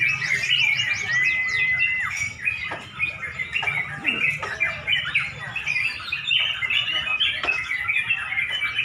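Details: Sooty-headed bulbuls sing against one another at a Pemalang contest near dusk: a clear rising whistle early on, then a steady mesh of chirps, trills and slurred notes from several birds, with occasional knocks.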